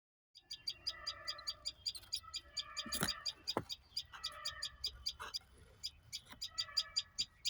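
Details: Bird chirping, a run of short high chirps repeated steadily through the whole stretch, overlaid by lower tonal sounds and a few sharp knocks.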